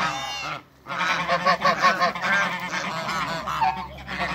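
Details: Toulouse and African geese in a backyard hybrid breeding flock: a brief honk, a short silence, then rapid, choppy honking from several birds.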